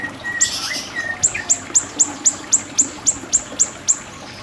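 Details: Siri-siri bird for song tutoring: a thin level whistle, then an even series of crisp high clicking notes about four per second.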